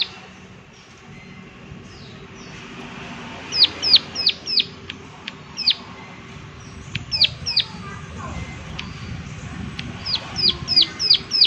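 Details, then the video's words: Prinia calling 'klik klik' outdoors: short bursts of two to four high, sharp, descending click notes, repeated in irregular groups over a low background hiss. "Prenjak Klik Klik Gacor Suara Alam"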